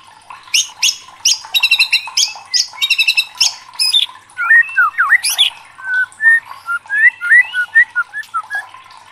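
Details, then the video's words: White-rumped shama, murai batu, singing excitedly: harsh buzzy rattling bursts open the phrase, then a loose string of varied lower whistles and slurred notes with pauses between them. "DIJAMIN MURAI LANGSUNG KOAR-KOAR TERSULUT EM0SI | murai batu gacor | shama bird"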